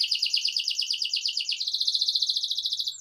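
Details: Singing canary delivering a long, fast rolling trill of closely repeated high notes, steady and unbroken for three seconds, played to encourage other canaries to sing.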